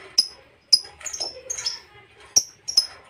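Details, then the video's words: Lovebird calling to provoke rival birds: sharp piercing chirps mixed with short scratchy, rasping notes, at irregular intervals. "LOVEBIRD NGETIK UNTUK (TERAPI) pancing emosi lawan"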